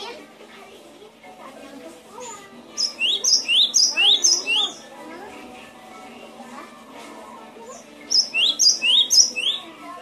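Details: Cinereous tit (gelatik batu) singing for bird training: a fast, regular run of about eight repeated two-note whistles, high then lower and rising, followed by softer chatter and a second matching series.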